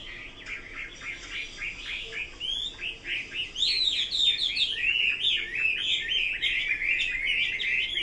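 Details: A Chinese hwamei builds from a fast string of short repeated down-slurred notes into louder, higher, ringing whistled phrases that continue in a lively, varied stream.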